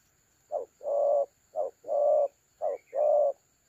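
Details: Spotted dove used as a trap decoy, cooing in the 'thổ calam' style, recorded 30 October 2022. Low mellow two-part phrases, a short note then a longer coo, repeated three times about once a second, with a faint steady high whine.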